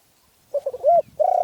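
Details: Stuttering run of short coos rising into a louder slurred note, then a sustained coo from a Spotted dove in Phrae, Thailand.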